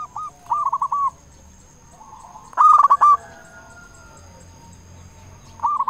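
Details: Local zebra dove with a loud voice, used as a lure to make zebra doves sing; short rolled coo phrases at the start, middle and end are separated by quiet gaps, with a faint high hum throughout.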